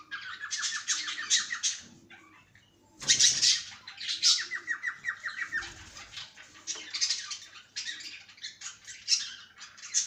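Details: Cockatiel in a cage giving a fast ticking run of repeated chirps, a short silence, then loud scratchy squawks and further rapid chirp series.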